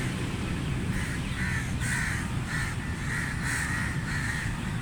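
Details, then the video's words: Crows calling while feeding: harsh, nasal caws repeated in a steady series of short bursts over a constant low rumble of background noise. "Crow Sound Effect Loud | Crow Feeding Sounds"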